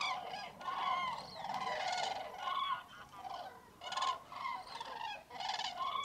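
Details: Icy, misty dawn at a huge common crane roost in Tablas de Daimiel National Park, Spain, mid-January; steady waves of loud rolling bugles from many birds, rising and falling in strength throughout.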